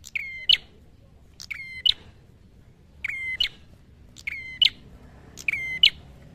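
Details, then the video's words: Red-headed prinia singing while fighting: five bright, clipped phrases, each a level whistle with a sharp snapping end, repeated about every second and a quarter over near-silence. "Prenjak Kepala Merah Gacor Tarung"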